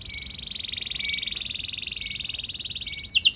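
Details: A lure recording of canary song meant to draw other canaries into long rolling song, with a steady, very rapid high-pitched roll held for three seconds, then a burst of sharp higher notes at the end.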